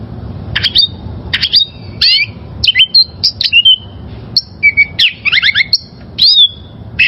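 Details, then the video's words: Oriental magpie-robin wild-caught (liyar) song for training caged birds: varied whistled notes and rising-falling phrases mixed with sharp chirps, delivered in bursts with short pauses. "Masteran Suara Burung Kacer Liyar...!!!"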